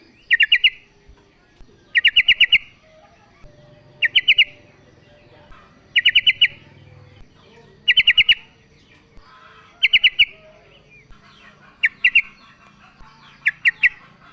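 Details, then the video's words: Sooty-headed bulbul female calling the male: a steady series of eight short bursts, each three to five quick chirpy notes, about every two seconds, over a soft low hum. "TRUCUK BETINA memanggil JANTAN"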